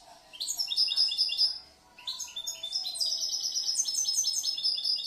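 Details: European goldfinch from last year, a caged bird described as able to change, mix and compose its song, gives two phrases of high chattering twitters and sparkling trills split by a short gap.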